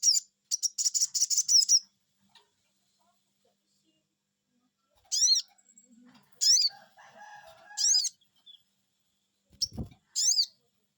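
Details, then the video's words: Sogon (crimson sunbird) answering a lure with a rapid chattering series of high notes, then spaced arched 'cuiit' calls, with soft lower clucking and a dull knock. "Cuiit cuiit,,pancingan burung sogon bikin resfon,,,langsung nyaut"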